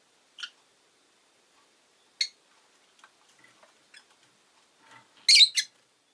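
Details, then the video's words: Rosy-faced lovebird giving a few sharp, shrill chirps spaced over several seconds, with a loud double chirp near the end and faint clicks between, in a recording that also picks up city noise. "Lovebird Chirping Sounds"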